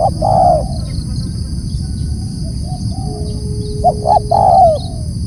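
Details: Spotted dove giving a loud call: the end of one falling coo, a pause with faint distant coos, then a full phrase of short notes and a long descending coo. A thin steady tone, a low rumble and a high hum are also heard.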